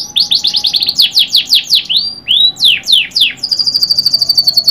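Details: Canary singing quick descending chips, then two drawn-out slurred whistles and a burst of sweeps, finishing on a steady high trilled roll.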